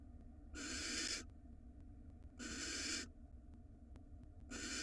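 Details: Female barn owl in a nest box camera in Israel, receiving a rat brought by her mate: harsh, hissing screeches, each lasting under a second, come about every two seconds, three bursts in all, over a low steady background hum.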